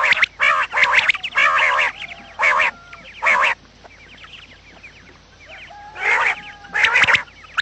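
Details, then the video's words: Quail calls recorded in the morning for luring quails into traps: clustered harsh, buzzy bursts, then a quieter gap filled with faint chirps, before loud squawks return. "batair Subha ki awaz | quail sound effect"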